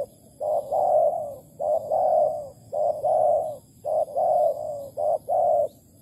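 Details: Malaysian spotted dove at a trapping site with a decoy bird, August 2020: loud, close hollow cooing in quick pairs, a short note followed by a drawn-out warbling coo, five phrases in steady rhythm.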